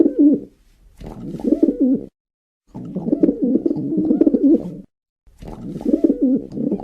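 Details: Repeated low, throaty pigeon cooing in several bursts of one to two seconds, each a rolling, slightly wavering coo, with brief silent gaps between phrases.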